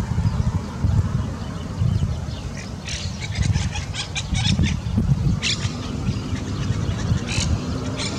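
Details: Monk parakeets at a shopping plaza in Calexico, Imperial County, California, seen December 11, 2022: harsh, short squawks in scattered bursts, partly masked by constant loud low rumbling traffic-like noise.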